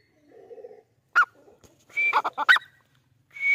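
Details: Black francolin, or kala teetar, in Rajasthan, India: a soft buzzy note and a sharp click lead into a loud, harsh, grating phrase of several clipped staccato notes. A strident rising note cuts in at the end against a silent background.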